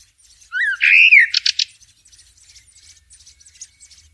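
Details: Blackbird song outdoors in nature: a fluted, looping whistled phrase, then a rapid burst of three or four thin, high squeaky notes, followed by soft chattering birds in the background.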